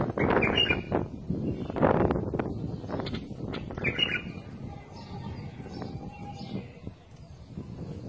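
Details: Bulbul singing: short warbled, slurred phrases near the start and again around four seconds, separated by pauses, over steady low rumbling background noise and scattered clicks.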